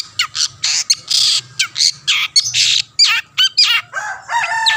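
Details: Singing long-tailed shrike used to prompt rivals into song: loud, broad rasping squawks in quick succession, then wavering trilled notes and a descending harmonic chatter.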